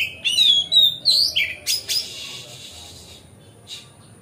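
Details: Magpie-robin singing in a relaxed, flowing way, used as a lure that makes other magpie-robins spread their tails. Sweet rising whistles and sharp harsh notes tumble quickly, then fade to quiet with one faint late note.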